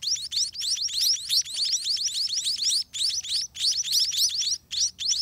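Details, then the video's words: Hungry scaly-breasted (spotted) munia chicks beg in the nest as their parents feed them: rapid, thin, high rising squeaks in quick bursts, about three per second, with short pauses between runs. "Hungry Spotted Munia Baby Eat All Day"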